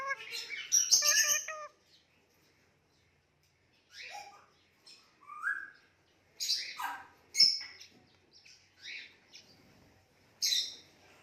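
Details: Pet Indian ringneck parakeet that talks, making a string of cute noises. Harsh, layered chatter opens the sequence. Scattered short squawks, slurred rising notes and sharp high chirps follow, separated by brief pauses.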